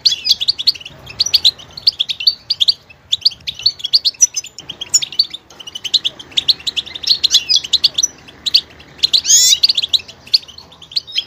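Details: Goldfinch singing a long run of quick, chattering twitters and tinkling notes in bursts, with a brief pause midway and a louder burst near the end.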